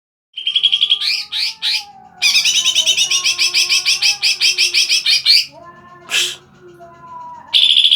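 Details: Greater green leafbird in energetic chattering song: a few sharp whistled notes, then a long fast series of bright pulsed chips, separated by brief pauses and followed by further bursts.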